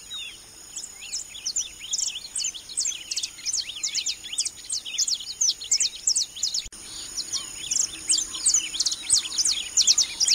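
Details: Saffron Finches (Sicalis flaveola) in Fernando Peñalver urban park, Carabobo, give a busy stream of sharp, high chirps and short slurred notes, several birds overlapping, over a steady high hiss.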